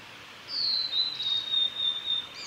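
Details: Male Blue-and-white flycatcher singing on a wooded road by Lake Miyagase, Japan, in early May 2020: a single long, high, thin whistled phrase slowly falling then held steady, with a faint rumble of background noise.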